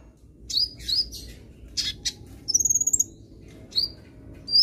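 A sunbird's thin, very high chirps and squeaky phrases, with one rapid, buzzy trill midway and sharp notes scattered around it.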